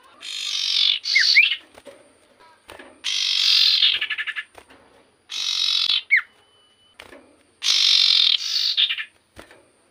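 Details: Common iora giving an energetic song for provoking other ioras: four long raspy buzzing bursts, several ending in rapid stutters, with short curling downslurred whistles in between.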